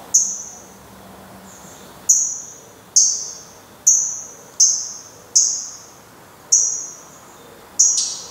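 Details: Black redstart at its nest on 24 May 2020 as the last chick flies off: a series of high, thin, sharply struck whistled calls, roughly one per second, each trailing off.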